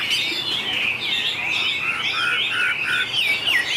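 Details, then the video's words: Contest singing from a white-rumped shama, a long changing song of clear whistled notes sweeping up and down, with short repeated lower whistles in the middle and a bright rising slur near the end. "Tuyển tập chòe lửa hót đấu Bộ đẹp,nết chơi đẹp,đảo giọng dài hay nhất 2019║Suara murai batu gacor"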